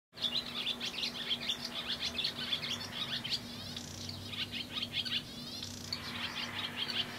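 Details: Male barn swallow perched atop a light pole in spring 2011, broadcasting his presence to the neighborhood in a long serenade: fast, high twittering chatter of short chirps and buzzy trills, with a steady low electrical hum underneath.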